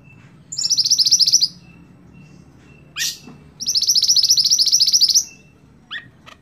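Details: A cage scarlet-backed flowerpecker used as a tutor for songbirds sings two very high, fast trills, the second almost two seconds long, with a sharp descending call between and after.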